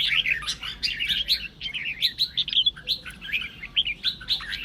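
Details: Red-whiskered bulbul song meant to stir other birds into singing: a rapid, continuous run of chirpy, slurred notes that rise and fall in a dense, lively chatter with scattered sharp clicks.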